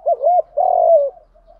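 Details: Spotted dove cooing in the Vietnamese style called giọng đồng pha thúc gù, used to stimulate caged doves to coo. Short fragment: a low hooting note, a brief pause, then a longer rolling coo. No other sounds.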